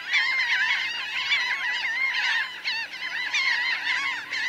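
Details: Close-up calling from a big Laughing gull flock of roughly 1000 birds, some grounded and some flying; many harsh, bending calls overlap into an unbroken babble, with slightly louder cries standing out now and then.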